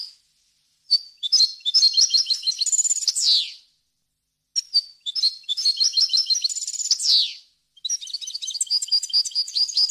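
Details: Varied, flawless European goldfinch song meant for teaching chicks and goldfinch hybrids: three bursts of bright, tinkling twitter mixed with buzzy rattles and a descending slur, pausing about a second between phrases.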